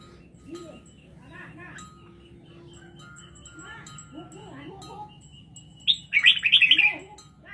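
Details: Red-whiskered bulbul from Laos: murmured human voices first, then the bird's bright, rapid burst of six or seven warbling notes near the end.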